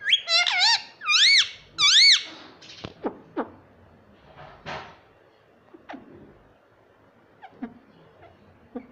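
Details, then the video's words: Talking parrot (mitthu) said to say 'mummy papa': three loud, up-and-down harmonic syllables at the start, then scattered short clicks and small squeaks that fade toward the end. "Parrot talking mummy Papa"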